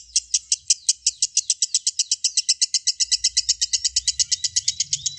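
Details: Long ngekek chatter from a lovebird, a fast, even stream of shrill, high chirps about five or six per second, continuing unbroken, with a faint low hum beneath.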